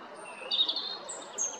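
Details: Brief fragment of European robin song from Jarun, Zagreb, Croatia, recorded 13 April 2022: a warbled mid-high phrase followed by two very high, thin drawn-out whistles.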